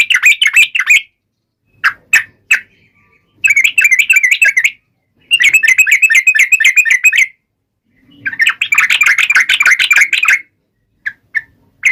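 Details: Yellow-vented bulbul taunting a rival: repeated bouts of fast, harsh, trilling chatter lasting one to two seconds each, separated by silences and a few isolated sharp notes.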